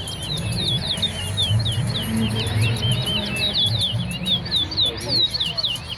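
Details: Towa towa (large-billed seed-finch) singing in a competition in Guyana's West Side. Fast, unbroken chain of bright, slurred whistles rising and falling, with low background rumble beneath.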